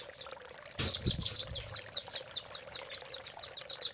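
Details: Velvet-fronted nuthatch in a master recording used to train caged songbirds, 'cililin' filling style. After a brief low thump, high sharp notes repeat about five per second in a steady, even series.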